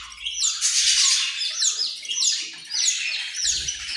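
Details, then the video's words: Australian parrot calling with grating, screechy notes repeated about once a second, each harsh burst ending in a downward sweep, over faint low rumble. "Australian parrot"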